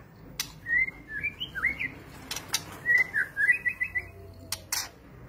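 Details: Clear whistled phrases of a white-rumped shama: short rising and falling slurred notes in two bursts, with occasional sharp knocks and a low background rumble.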